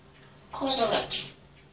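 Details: A pet grey parrot shows off part of its talking repertoire in a quiet room, speaking a short, raspy, word-like phrase of about a second in two bright, high-pitched bursts.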